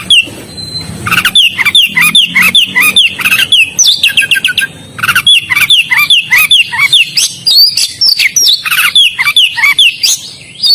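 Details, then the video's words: Oriental magpie-robin in full, energetic song: long runs of bright whistles and clipped chirps repeated quickly, with a short buzzy trilled passage midway and brief gaps between phrases. "BURUNG KACER GACOR DALAM BERAKSI"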